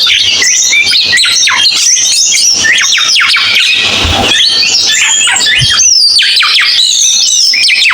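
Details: Cucak keling bird song, a recording circulated among songbird keepers: a loud, dense, continuous stream of high chirps, rapid trills and sharp downward-sweeping whistled notes, varied and chattering, with almost no pauses over the eight seconds.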